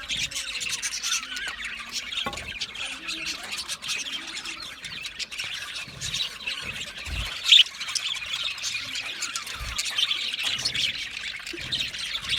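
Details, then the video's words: Australian budgies in a long unbroken stream of scratchy chatter and squawky chirps, several birds overlapping, with occasional low thumps and one sharp louder squeak midway. "Budgie singing and chirping sounds | Australian Budgie sounds"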